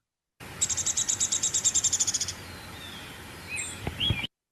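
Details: Downy Woodpecker song, recorded in Kentucky: a descending trilling whinny, a rapid run of about sixteen sharp, high notes lasting under two seconds, followed by a few faint chirps.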